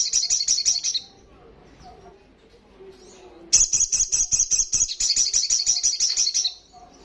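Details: Olive-backed sunbird in loud, fast 'ngalas' song: a one-second high trill, a quiet stretch with faint chirps, then a three-second rapid pulsed trill with a brief break partway.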